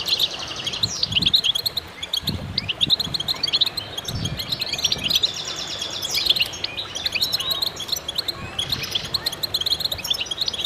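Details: Many goldfinches singing in concert, a lively stream of high trills and chirps, accompanied early on by a few dull low thumps.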